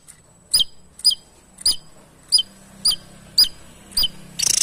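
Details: Javan tesia singing actively, used as a master bird for training other songbirds: sharp, very high chirps with downward flicks, repeated roughly twice a second, ending in a brief burst of hiss.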